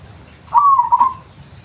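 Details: Local zebra dove, original voice used as a lure: one short rolling phrase of soft, staccato cooing notes, slightly falling, lasting under a second over a quiet background.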